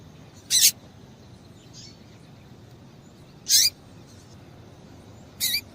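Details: Female Double-collared Seedeater giving stimulating calls for males: three isolated high, sharp notes roughly two and a half seconds apart, each sliding downward at the end.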